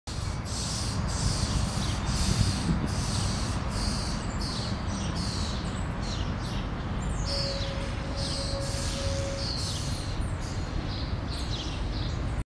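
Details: Common Starling (Sturnus vulgaris) nestlings inside the nest cavity, being fed by a parent, in Helsinki, Finland, May 2013, give harsh, hissing, raspy begging calls in quick repeated bursts over a heavy low rumble, with a brief steady tone midway.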